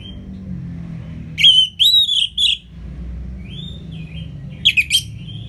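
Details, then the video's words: Orange-headed thrush (Anis Merah) singing in the loud ngeplong style, used as a tutor recording for birds that are slow to sing: a thin whistled note, a burst of warbled rising and falling whistles, then a shorter phrase after a pause. "ANIS MERAH Ngeplong Masteran Jahat Untuk Burung Yang Malas Bunyi"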